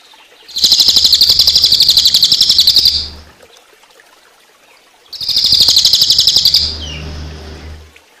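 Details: Cililin song used for training songbirds, combined with water sounds: two loud bursts of a rapid, high chattering trill, each lasting a couple of seconds, separated by a short pause, with a faint low hum underneath.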